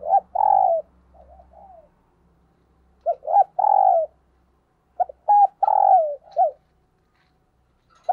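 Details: {'caption': 'Caged decoy spotted dove cooing in the thúc gù style, used to provoke wild doves. Low, mellow coos come in repeated phrases: two short notes followed by a longer rolling coo, with a softer trailing note.'}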